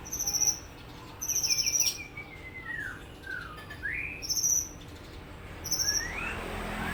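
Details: White-rumped shama of the Supak line giving its rolling 'tembak' song: very high clear whistles alternating with lower slurred notes that sweep up or down, in short bursts about every second, over a quiet hiss.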